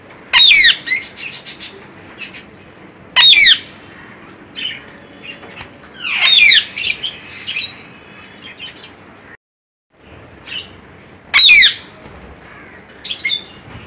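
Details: Pet cockatiels at play give loud, harsh rising squawks between softer chirps and twittering.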